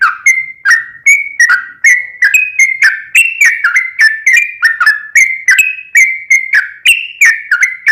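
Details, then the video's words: Sooty-headed bulbul singing a long rolling song meant to make a caged bird respond: quick, liquid whistled notes, each dropping then leveling, pouring out at nearly three per second without break. "KICAU SUARA trucukan gacor ROPEL PANJANG pancingan trucukan agar bunyi MENJADIKAN trucuk gacor NYAUT"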